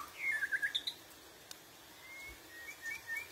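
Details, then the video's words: White-rumped shama song in a wild-forest voice style: a quick burst of about six bright whistled notes climbing higher within a second, then softer scattered chirps over faint hiss. "Luyện Giọng Chòe Lửa Hót Chuẩn Giọng Rừng"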